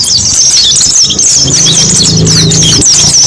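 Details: Short stretch of white-eye lure song: high, quick twittering notes overlap from several birds, accompanied by a low humming tone in the background.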